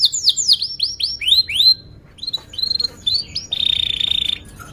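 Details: Canary singing a lure phrase for training juveniles and silent birds: a cascade of bright swooping notes, a pause, scattered chirps, then a short dense buzzy trill.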